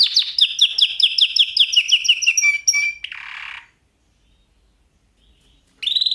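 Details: Canary singing in a lesson recording for canaries: a fast series of sweeping downslurred notes, a brief pure whistle and a rough buzzy burst, then silence before another trill starts at the very end.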